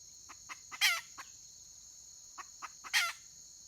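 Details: Hen of the wild red junglefowl, recorded 31 May 2023: two loud grating calls two seconds apart, each preceded by quick soft clucks, over a continuous high-pitched insect buzz.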